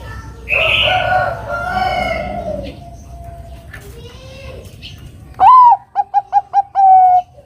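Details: Bangkok zebra dove calling to draw a rival into song: after other loud background sounds, a rising first coo, a run of quick staccato coos and a long held final coo.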